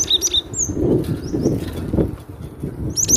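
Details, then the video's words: Cinereous tit (glatik batu) giving a loud song: high, sharp whistled notes sliding down, scattered through the clip over steady low rumbling background noise. "Suara lantang burung glatik batu"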